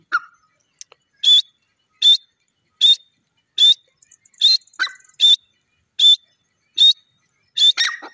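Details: Black francolin calling loudly, a rhythmic series of short sharp high notes, one about every 0.8 seconds, with a few lower chirps in between, against a quiet background.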